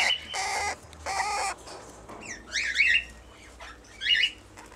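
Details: A two-year-old pair of red-winged parrots with their first brood of 20-day-old chicks: sharp, metallic chattering notes in two quick bursts, after two harsh rasping bursts of broadband noise.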